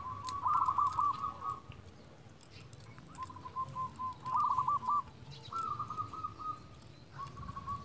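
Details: Local zebra dove used as a lure to call rival doves: several phrases of bubbly, trilled cooing with quieter trailing notes, recorded at a distance over a steady rural background hiss and low rumble.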